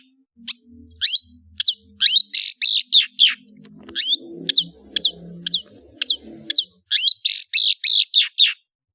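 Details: Varied chattering song of a long-tailed shrike: sharp downslurred whistles and scratchy notes delivered in irregular bursts, some phrases doubled, with faint low rumbling in the middle.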